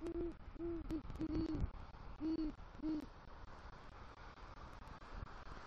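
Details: Male great horned owl at the nest tree in Southwest Florida, 3 November 2023, after bringing rodent prey and calling for the female: five deep, soft hoots in quick succession, then quiet over a faint low rumble.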